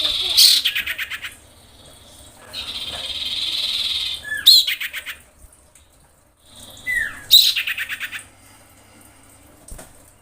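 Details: Female common iora in breeding condition calling to a male: three harsh, buzzy rattling bursts of rapid pulses about three seconds apart, with a steady high whistled note between the first two and short down-slurred whistles.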